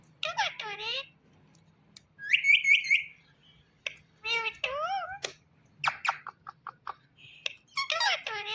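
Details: Talking Indian ringneck parrot chattering clearly in a quiet room: speech-like harmonic phrases, a rapid train of high rising whistles, sharp clicks and short squawks in quick succession.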